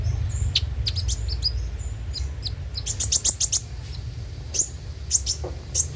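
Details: Van Hasselt's sunbird, called konin, singing on a recording played to coax birds into song: brief high whistles then rapid strings of sharp chirps, with scattered single notes later, over low background noise.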